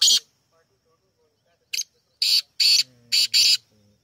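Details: Kala teetar, the black francolin, calls: a short grating note, a pause, then two paired groups of loud, scratchy, buzzy notes. A faint low hum runs underneath.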